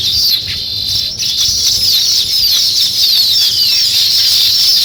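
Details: Nest-building weaver birds keep up a steady, dense high chatter of sizzling twitters, with thin notes slurring downward scattered through the chorus.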